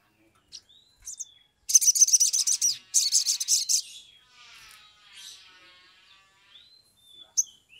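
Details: Sumatran leafbird singing in an agitated, vigorous mood, used as a lure to prompt other leafbirds to sing. Opens with thin whistles, then two dense bursts of rapid, harsh, very high chattering trills, fading into soft warbling notes.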